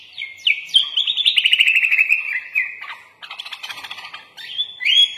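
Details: Kutilang (sooty-headed bulbul) singing a full-isian song with murai batu imitations: sharp upslurs, then a fast rattling trill of repeated notes, softer chattering, and a final rising whistle.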